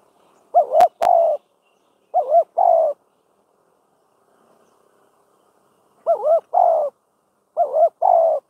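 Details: A spotted dove serving as a trapping decoy gives repeated mellow two-part coos: a quivering double note, then a longer coo. There is a long pause midway, and two sharp clicks sound near the start.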